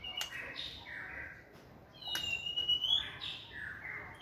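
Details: Energetic song of a caged white-rumped shama training in a flight cage: loud, varied whistles and warbles, including a long rising whistle, clicks and quick phrase changes that swell toward the middle.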